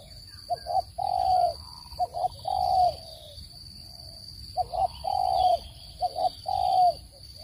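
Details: Spotted dove cooing used to trap birds, clean standard voice: two phrases of deep coos, short doubled notes leading into long gently falling hoots, separated by a pause, with soft background chirps and a steady tone.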